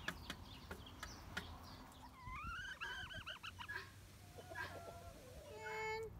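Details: A relaxed flock of domestic chickens, without rooster crows. A hen gives a quick run of short, wavering, bright notes, then a lower, softer string of repeated clucks, then a drawn-out nasal note. Scattered ticks and pecking sounds come through a low background hum.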